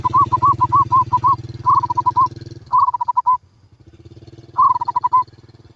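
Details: Zebra dove giving rapid staccato cooing phrases, each a quick run of short burbling notes, four bursts over a steady low engine hum.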